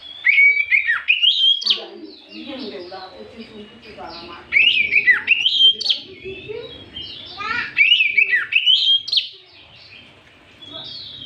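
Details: Used as an afternoon lure to excite other magpie-robins, this Oriental magpie-robin gives repeated loud phrases roughly every three seconds: rising whistled sweeps with harsher chattering notes beneath and faint background sounds.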